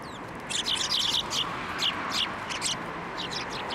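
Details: Several sparrows coming to a hand for food at a Tenmangu shrine, 16 December 2023, give a dense flurry of bright, rapid chirps, then scattered single high tweets trailing off.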